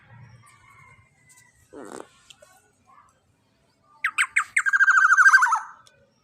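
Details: Young black-naped oriole with a big body and strong voice, kept as master recording for training birds: faint low noises and a brief nasal sound, then harsh descending notes and a quick grating chatter.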